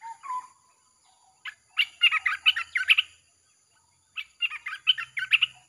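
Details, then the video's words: Red-whiskered bulbul, nonstop 'chopping' song used to lure wild birds: low whistled notes lead into two energetic bursts of fast, bubbling chirped phrases. "เสียงนกกรงตาแดงEp.158 สับไม่หยุด!! เปิดล่อนกป่าเข้า100%"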